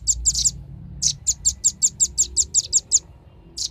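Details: Sharp, high-pitched chips of a velvet-fronted nuthatch in a lure recording to attract birds, a quick rhythmic series of about a dozen notes with one final chip after a pause.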